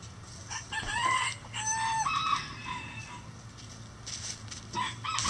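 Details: Rooster crowing among chickens in a coop; two loud harmonic bursts in the first half, then quieter scratching and rustling, with another short call near the end.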